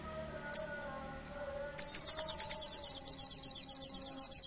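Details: Sooty-headed bulbul, used as a lure call to provoke rivals: a single high chip, then a fast, even volley of about twenty sharp, high descending chirps, roughly seven per second, over a faint low hum.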